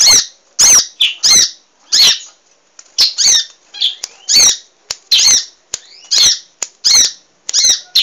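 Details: Lively munia song recorded to train cage birds: high, squeaky chirps at a steady pace, roughly one every half second, some doubled, with faint thin slurred notes between them.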